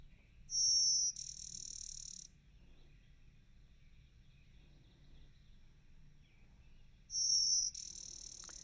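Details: Blue-winged Warbler song, described as insect-like, more a "bee-buzz" than a chirp: a thin high buzz, then a lower, rougher buzz, repeated after about six seconds over a faint low hum. The species nests in local parks.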